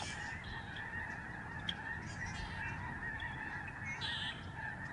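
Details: Overhead flock of Lesser Snow Geese at a protected bird sanctuary in Canada during November 2011 migration. A thick, constant chorus of honking with scattered higher-pitched yelps rising above the crowd.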